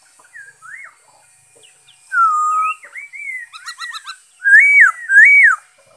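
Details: Black-throated laughingthrush recorded 5 May 2021, singing loud, clear whistled phrases, some slurred and rising-falling, mixed with a quick burst of stacked chattering notes.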